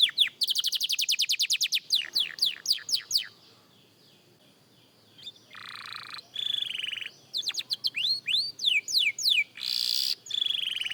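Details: A young canary practises singing, opening with a fast trill and falling notes. A silent gap and some harsher noisy bursts follow, then rising whistles and trills return.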